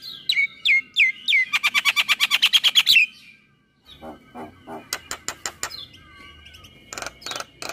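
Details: Morning song from a male jalak kebo, or Javan myna, full isian masteran style: drooping whistles lead into a fast, even rattle of repeated notes, a short pause, then scattered chips, sharp clicks and buzzy fragments.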